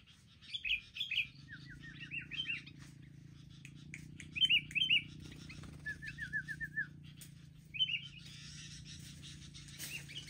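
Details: Several wild sooty-headed bulbuls mobbing together, giving crisp, rapidly repeated downslurred chips in short runs of four to six notes, interspersed with sharper upward-flicked calls, over a steady low hum.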